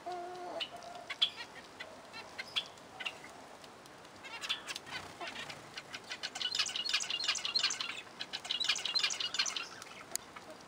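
Zebra finches give short, nasal, high-pitched chirps and beeps, several birds calling over one another, with wing flutters between.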